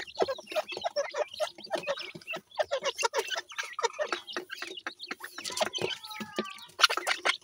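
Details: Partridge chicks at play, many calling together: rapid, short, high peeping notes overlapping in a dense, irregular chatter, with some longer thin whistled notes near the end.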